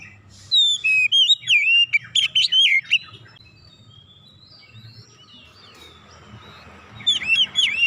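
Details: Oriental magpie-robin bringing out isian phrases: a lively series of slurred whistles and chirps, several seconds of soft hiss, then another loud burst of looping notes.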